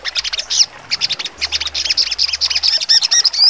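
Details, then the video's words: Sogon songbird singing in trotol style with sharp full bursts: rapid chattering, chirping notes packed high and dense, mixing short falling sweeps and clicks, closing with bright rising whistled slurs. "sogon trotol full nembak tajam"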